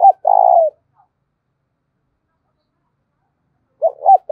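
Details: Spotted dove kept as a decoy to lure wild doves, 'giọng thổ' voice style. A long burry coo ends one phrase, then a long silence, then two short looping notes open the next phrase.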